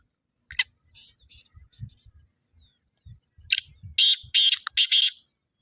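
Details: Black francolin at 6:15 in the evening, 21 February 2025: a sharp opening note and scattered faint sounds, then a loud burst of four harsh, rasping notes with a brief gap before the last. Soft low thumps underneath.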